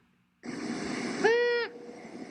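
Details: Female long-eared owl giving her duetting call: a single nasal, squawking note, slightly rising and under half a second long, over a steady background hiss.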